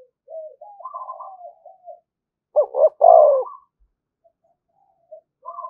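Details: Spotted dove acting as a decoy, cooing to provoke fighting. Low, wavering soft notes lead to one loud phrase, a rapid double stutter and a long throaty croo, then near silence.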